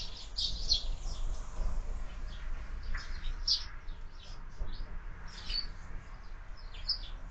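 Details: Several sparrows at a window-mounted feeder in the morning give short, bright chirps in scattered bursts, with a low steady background hum.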